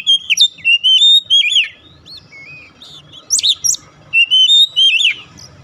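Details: Song of the Oriental magpie-robin, meant to coax a bird that has stopped singing: clear looping whistles, sharp upslurred notes and chattery bursts in rapid groups separated by short silences.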